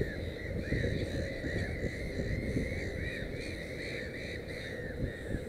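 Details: At a nest with three chicks, a black-headed gull calls rapidly: strings of harsh, bowed notes, many overlapping, running almost continuously through the clip above a low, rumbling background.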